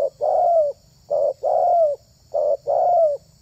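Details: Spotted dove (terkukur) kept to lure wild doves, giving a soft low coo pattern: a short coo followed by a longer, falling coo, the pair repeated three times about once per second, with faint background hum.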